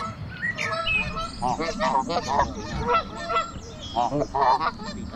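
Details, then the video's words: A group of geese calling loudly on a walking trail; rapid, raspy honks tumble over one another in dense overlapping bursts across the whole stretch. "Amazing Goose encounter - Crazy goose sounds"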